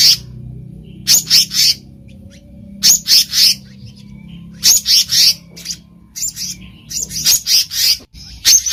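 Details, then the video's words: Wild black-naped monarch giving clusters of two to four scratchy, high notes, spaced irregularly with short pauses, over a faint low hum. "SUARA ASLI BURUNG KEHICAP RANTING DI ALAM LIAR"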